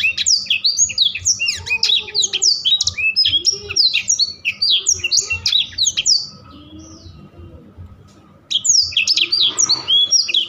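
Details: Blackthroat singing actively in a continuous rolling (ngerol) style: rapid high chirps, trills and sweeping whistled notes in dense bursts for about six seconds, a brief quiet gap, then the busy warbling resumes.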